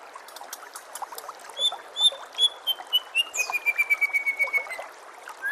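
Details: White-rumped shama (murai batu) song from a masteran training recording: scattered high chirps, then clear, drawn-out whistled notes slowly falling in pitch, ending in a long level whistle over a fast series of short repeated notes, with faint chirping in the background.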